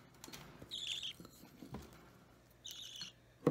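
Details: Young budgerigar chick, roughly three weeks old, restless during hand-feeding on 30 March 2017, gives two short hoarse begging squawks separated by clicks and rustling, ending with a sharp tap.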